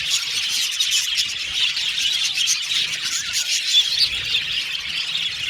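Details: Aviary budgies twittering as a crowd, squeals and rapid chirps overlapping in a constant high-pitched hum of voices.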